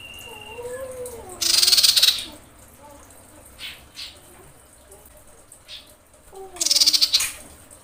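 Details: Common iora, a female calling the male during mating season, gives two dry, rapid rattling bursts about five seconds apart; lower wavering whistles, faint chips and a steady background hiss accompany them.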